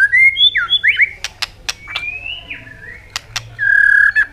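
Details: Singing white-rumped shama meant to stir other birds to sing: clear whistled phrases and quick slurred notes, a long gliding whistle in the middle, several sharp clicking snaps, then a sustained steady whistle near the end.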